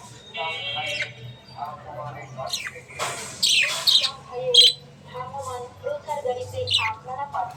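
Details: Budgies chattering, played to ease stress in lonely birds: a busy run of buzzy harmonic warbles broken by squawky bursts and bright high chirps, with a faint low hum underneath.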